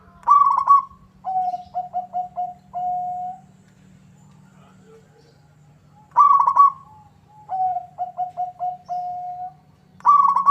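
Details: Local zebra dove in full song, drawing a rival to reply; two complete phrases, each a fast stuttering high coo followed by five short lower beats and a drawn-out final note, with a constant background hum.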